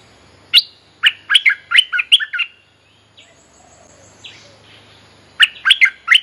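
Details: Bulbul lure song for calling a mate and training young birds: a lively string of about eight chirps, a quiet gap with a faint thin whistle, then another quick burst of chirps.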